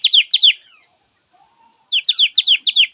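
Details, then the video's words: [3, 'Singing Java sparrow: a few clipped high chirps and a brief soft whistle. Then comes a quickening series of sharp, repeated chirping notes.'] "Tiếng chim thanh tước hót"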